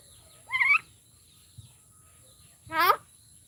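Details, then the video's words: Talking common myna imitating Bodo speech: two voice-like, harmonic syllables about two seconds apart, the first rising then wavering, the second a stacked, quavering, falling utterance, with quiet low background between them. "Maina Bird - The First Human to Talk in Bodo Language!"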